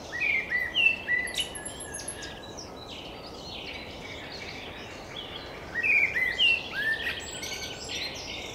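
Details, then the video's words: Singing common blackbird, recorded on a RODE VideoMicro: rich whistled warbles followed by high chattering twitters, two phrases about five seconds apart, faint high chirps from other birds and a steady noisy outdoor background. "Черный дрозд поет песню 4K | Blackbird Singing 4K"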